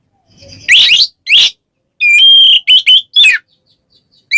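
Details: Oriental magpie-robin in ngeplong style calling a rival: two harsh, rasping notes, then a sustained bright whistle followed by short ringing notes and a downslurred one.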